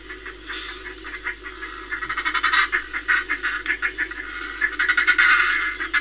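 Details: Northern fulmar at Reykjavik, Iceland, 25 April 2024, giving a throaty, chattering cackle. The quick rasping beats start quietly, then grow loud and crowded and stay that way to the end, with a constant low hum underneath.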